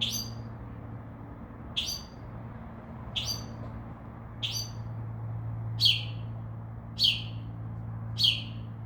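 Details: Singing from a tree outside a window, a Northern mockingbird that also imitates other sounds gives seven sharp, high, downward-sweeping notes, roughly one every 1.2 seconds, growing louder toward the end, with low background hum.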